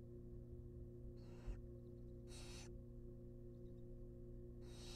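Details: Three rasping, broadband hisses from wild barn owl nestlings as a rabbit is brought to their nest box, each roughly half a second long, separated by quiet gaps over a droning hum.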